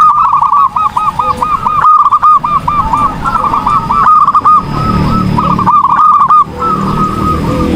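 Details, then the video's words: Zebra dove singing hard, long runs of quick, rolling, bouncy coos with a few short breaks, over steady low background rumble. "PERKUTUT GACOR || COCOK UNTUK MASTERAN || SUARA BURUNG PERKUTUT"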